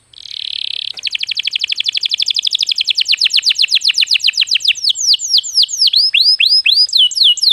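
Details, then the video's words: Canary song played as a lure to stimulate other birds to sing: a high buzzy note, then a long rapid trill of repeated down-slurred notes that gradually slows into wider, separate sweeping notes. "suara burung kenari untuk pancingan agar gacor"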